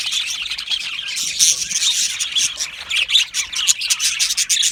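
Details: Aviary colony of Australian budgies, happy singing and chirping: lively, constant high chatter of many birds, with squeaky chirps, warbles and short squawks tumbling over one another.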